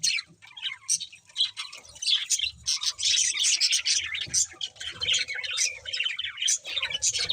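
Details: Budgies chirping: a busy, unbroken stream of high, scratchy warbles, squeaks and chattering notes from several birds, rising and falling in loudness in quick bursts.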